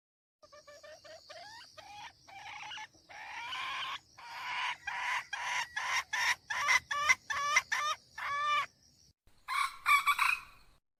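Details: Hen calling to draw roosters, as a decoy: a soft stuttering start building into a fast, accelerating train of loud, hoarse, clipped squawks, then a short gap and a final burst, with a continuous thin high whine underneath.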